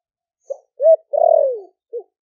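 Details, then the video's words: Spotted dove, wild-caught and caged four months in Ninh Thuận, giving its deep 'thổ sấm' coo to lure other doves: one short low note, a rising hoot, a drawn-out buzzy descending coo and a short final hoot. "Cu gáy kích bổi nhanh nổi GIỌNG THỔ ĐẶC ( THỔ SẤM )gáy gọi bổi về"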